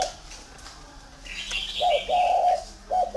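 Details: Captive spotted dove in Ba Vi, Vietnam: after a stretch of hissy background, low hollow coos begin, a short note then a drawn-out coo, repeated, with faint chirps of other birds around.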